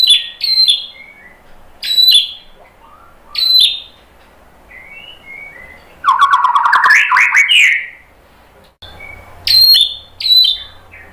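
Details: White-rumped shama from Indonesia singing a provoking song to set other birds off: high ringing phrases repeated every second or two, soft whistles, and a dense burst of rapid chatter in the middle.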